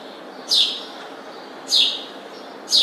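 A house sparrow gives three sharp, downslurred chirps, roughly one a second, over a faint steady hiss.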